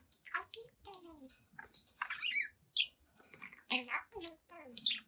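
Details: Young pet budgerigar, seven months old, chatting, singing and dancing in front of a mirror indoors: rapid run of varied squeaky chirps, scratchy warbles and mumbled speech-like syllables in quick bursts with brief pauses, quiet room.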